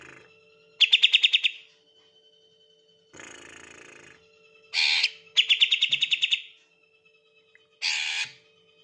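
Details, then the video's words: Green leafbird, a bird prepared for hanging in contests, giving the rapid 'tembakan' shooting style used as a bait sound: buzzy pulsed bursts repeated several times, mixed with harsh broadband rasps over a steady low hum. "PANCINGAN TEMBAKAN CUCAK IJO"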